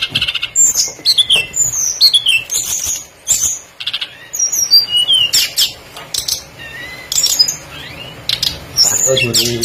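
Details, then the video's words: Tledekan songbird used as a lure so other birds join in: short bursts of bright whistled slurs and chirps separated by brief gaps, a thin steady tone in the background, a low rattle at the end. "PANCINGAN BURUNG TLEDEKAN PASTOL GACOR FULL ISIAN LANGSUNG IKUT BUNYI"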